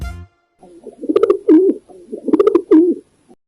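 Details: Pigeons cooing: two low, throaty, rolling coo phrases, each about one second long and ending in a deeper drawn-out note, mixed with sharp clicking sounds.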